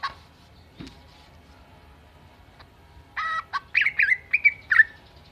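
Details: Greater green leafbird (cucak ijo) imitating a chicken and a cat: after near silence, a burst of buzzy harmonic notes, then a quick series of loud, squawky, down-slurred mid-pitched notes, six or so in under two seconds.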